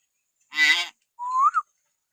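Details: Common hill myna, natural whistle used to trigger pet mynas to sing: one harsh, rasping burst, then a smooth whistle sliding upward and ending in a short flick.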